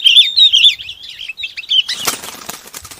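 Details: Sooty-headed bulbul calling to its flock: quick bubbly chirps warbling around the upper middle range for nearly two seconds, then a burst of rustling, flapping noise takes over.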